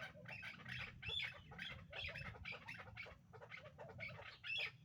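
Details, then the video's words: Hybrid chukar partridges, a pair kept for breeding, give a rapid run of harsh, clucking chuk notes, several each second and partly overlapping, over a steady low hum. "Кабки Гибрид"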